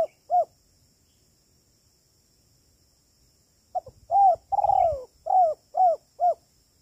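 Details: Spotted dove, 'kuk 3' coo used as a trapping lure: the end of one phrase, three seconds of quiet, then a full phrase of small lead notes, a long vibrating coo and three short coos.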